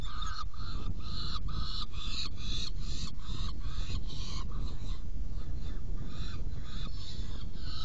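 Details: Saker falcon at its nest box while being fed, 17 June 2018, 10:31: a continuous string of about fifteen harsh, wailing rasps in quick succession that trail off toward the end, with strong low rumbling noise.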